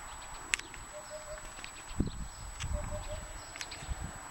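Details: Singing Eurasian hoopoe, recorded 24 February 2013 while out picking asparagus: two series of three soft, low, evenly spaced hooting notes about two seconds apart, with occasional sharp clicks and thuds of movement nearby.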